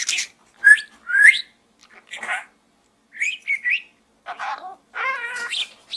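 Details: Budgie talking inside a small gourd gives sliding upward whistles, soft scratchy notes, and then a buzzy, harmonic, speech-like phrase, with quiet gaps between bursts.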